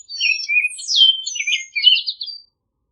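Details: Orchard oriole song phrase: a lively run of sweet slurred whistles, a downward swoop, then a quick buzzy trill, all high-pitched and delivered in about two and a half seconds without background noise.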